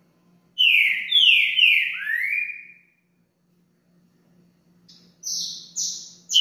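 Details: A captive green-winged saltator (trinca-ferro) sings the "60 Boi" song type used for tutoring: loud, rich, downward-slurred whistles, then a burst of higher, sharper notes.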